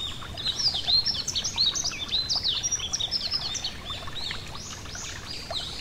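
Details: Yellow-throated bunting beside a gentle stream: high, sharp twittering chirps and quick down-slurred notes run almost without pause across the clip, with steady rushing water beneath.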